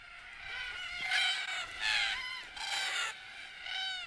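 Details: Red-tailed Black Cockatoos, mostly unpaired birds, arriving at sunset at a watering hole along treeline watercourses on Australia's desert edge, give harsh, grating, rolling screeches in a boisterous gathering, about four bursts in four seconds, overlapping over a faint musical hum.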